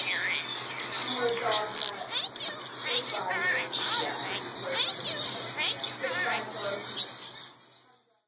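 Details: A hand-raised male red-headed finch, taught English words, says "Thank You Very Much" within a fast, busy run of chirps and warbled, wavering notes over a low steady hum.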